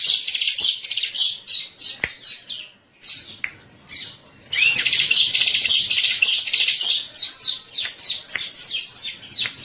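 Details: Bar-winged prinia used as a master lure song for other birds: dense high buzzy trills in rapid bursts, with short pauses near two and three seconds before the chattering resumes strongly.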